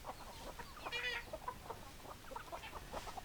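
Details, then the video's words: Several hens clucking together in a dense stream of short clucks, a sharper rasping cackle rising briefly early on, with steady background hum underneath. "Chicken Sounds Noises Hens Clucking Roosters Crowing"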